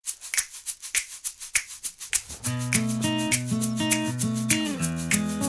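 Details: Music with a rattle or maraca shaking in a steady beat, then bright, sustained instrumental tones in a repeating melody, with no animal voice heard.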